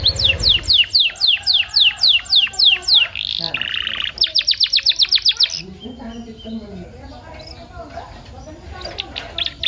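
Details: Canary song meant to stimulate canaries and serve as a tutor: a rhythmic string of sharp, descending high notes, a short buzzy phrase, then another rapid trill, followed by quieter background chirps and noise.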